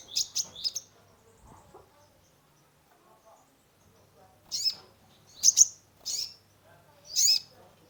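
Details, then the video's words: Caged sunbird (kolibri ninja) singing as a lure to stimulate a stressed bird: two bursts of high, sharp chirps early on, then a few seconds of quiet before four loud, clipped notes spaced about a second apart. "Terapi pancingan konin gacor full isian mengatasi burung stress !!"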